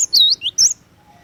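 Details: Cinereous tit (glatik watu) in lively song: two quick phrases of high, clear whistles, a swooping dip-and-rise note followed by a short bright upslur, then the bird falls silent against a faint low hum.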